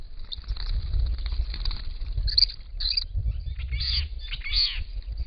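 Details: Purple-crowned lorikeets, two adults and two young just out of the nest and learning to fly, with a Little Lorikeet at a pond on a property, give short, shrill, harsh screeches in scattered bursts over a low rumble.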